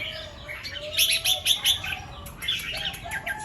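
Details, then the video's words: Morning singing of red-whiskered bulbul in the 'double' and 'rik' styles, set camera: a burst of fast bright warbled notes midway, a lower thin whistle running beneath, and softer chirps after. "เสียงนกกรงหัวจุก ร้องเบิ้ล2-3 ร้องริก"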